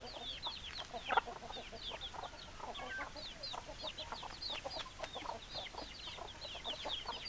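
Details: Flock of hens clucking, a dense chatter of many overlapping short, falling clucks and squeaky notes, steady throughout.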